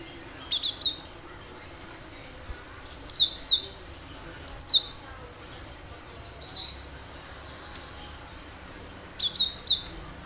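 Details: Cinereous tit caught from the wild, singing strongly as a lure for bird trapping: repeated clusters of high, sharp, squeaky notes in short phrases, several phrases across ten seconds, with a faint hum below.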